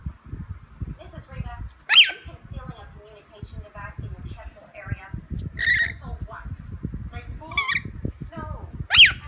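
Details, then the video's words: Lorikeet during play time, with harsh screeches opening and closing the passage and soft warbling chatter and scratchy squawks between them, over constant low clicking and rustling. "Lorikeet Play time"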